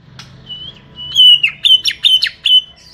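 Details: A small-bodied greater green leafbird sings a lively run of clear, fairly high whistles, bending notes swept up and down in quick bursts about every quarter second.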